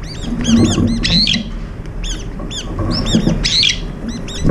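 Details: Brown-eared bulbuls, up to five together at a morning feeding spot, squabbling and pecking over food. Loud arched squealing notes come in quick bursts, with some rising sharply, over a low rumbling background.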